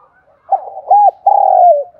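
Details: Spotted dove lure call for wild doves: stuttered low coos leading into a short arched coo and a long drawn coo falling at its close, the phrase ending abruptly.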